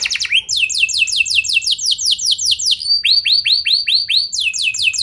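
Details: Canary singing as a lure to prompt other canaries to answer: rapid tours of downward-sweeping whistled notes, about two or three per second, shifting to a lower, fuller series partway through, loud and continuous.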